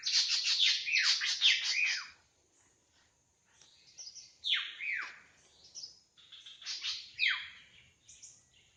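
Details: Wild drongo singing actively, a loud burst of rapid sharp notes sweeping down from high pitch over two seconds, then, after a pause, separate swooping downslurred whistles and chatter. A steady high hiss runs throughout.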